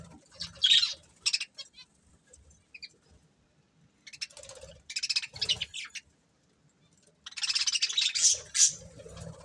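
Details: Budgerigar breeding pair giving intermittent high, raspy chirps and a long, dense warbled chatter toward the end, with soft rustling underneath.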